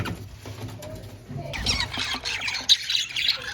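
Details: Pet budgies in a cage break into fast, scratchy chatter with high squeaky chirps after a quiet, faintly noisy start.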